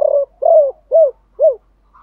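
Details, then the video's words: Spotted dove decoy bird cooing in the 'gọi ba hậu' (three-ending call) style with a 'thổ pha' voice. A low hooting note, then three short arched coos spaced about half a second apart in quiet surroundings. "Tiếng gáy gọi 3 Hậu. chim cu gáy mồi gáy gọi ba hậu giọng thổ pha"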